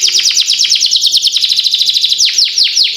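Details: Canary singing a long continuous roll, used as master song for training young birds to sing: rapid repeated descending high notes in fast trills, shifting to slower sweeping downslurs near the end.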